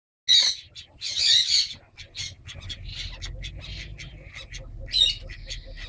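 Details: A Kenya crested guineafowl (Guttera pucherani) at a pet aviary in Penang, Malaysia, gives harsh, rasping squawks in quick, uneven bursts.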